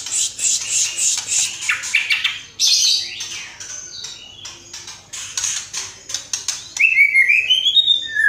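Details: A murai batu, the white-rumped shama, gives a full isian song with tembakan. A rapid string of high scratchy notes is followed by a clear rising and falling whistled trill at the end.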